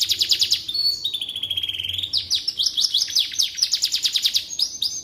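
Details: Canary song for training magpie robins: a fast pulsed trill gives way to a smooth level whistle, then a long run of quick repeated up-and-down notes, rich and energetic, over a soft low hum.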